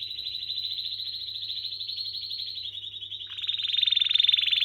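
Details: Canary singing a long, fast rolling trill on a high, steady pitch that dips slightly, then swells louder and buzzier near the end.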